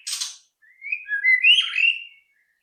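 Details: White-rumped shama lure song for getting other shamas to sing: a brief harsh chirp, then a flowing run of rich whistled notes that rise and fall together, then quiet.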